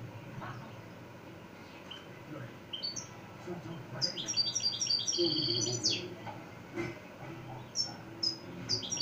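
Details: Extremaduran European goldfinch from Montijo in continuous song: bursts of rapid, high, tinkling notes and buzzy trills, densest in the middle, followed by short separate twitters, with low background noise.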